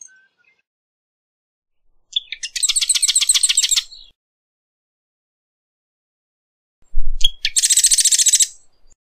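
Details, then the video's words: Marsh wren song: two bursts, each opening with a short note then a rapid, mechanical rattling trill of buzzy high notes lasting about one and a half seconds, separated by several seconds of silence; a brief low thump precedes the second. "Marsh Wren Song! Marsh Wren Call!"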